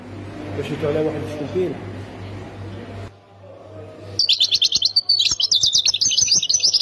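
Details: Near Khemis Miliana, Ain Defla, Algeria, a European goldfinch breaks in after three seconds of low murmuring background noise with a fast, ringing trill of high, buzzy notes that runs on to the end.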